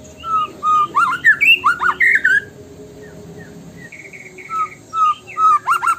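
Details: White-rumped shama, called murai batu, in a lure song: rich, varied whistled phrases sliding up and down, a brief series of repeated rattling notes, then more fluty whistles.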